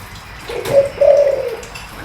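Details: Spotted dove giving a deep-voiced coo meant to rouse another dove: one short low hoot, then a longer level mellow coo, over steady background hiss.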